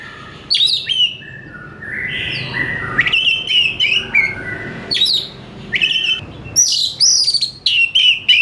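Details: Oriental magpie-robin singing in a fast, responsive "gacor" style: loud whistled phrases of sharp upslurred and downslurred notes, repeated in bursts with short pauses, over a faint low hum.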